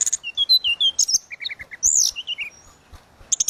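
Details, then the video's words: Tledekan laut singing flute-like and energetically: a lively run of varied high whistles, short notes sliding up and down, then a group of lower clipped notes, a few buzzy bursts, and a final sharp twitter. "Burung tledekan laut suling gacor"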